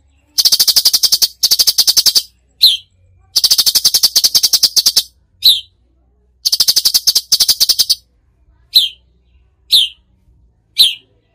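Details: Cucak cungkok in full tembakan: repeated harsh rattling bursts alternating with single sharp down-slurred chips, which space out toward the end.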